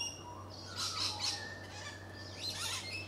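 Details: White-faced heron (Egretta novaehollandiae) gives harsh, rasping squawks in two bursts about a second and a half apart, with thin whistled tones from other birds and a low hum behind.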